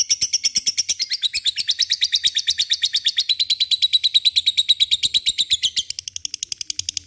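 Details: Long lovebird ngekek chatter, meant to get quiet birds singing: quick, evenly spaced high notes that slowly drift lower in pitch, then shift to a softer, thinner run near the end.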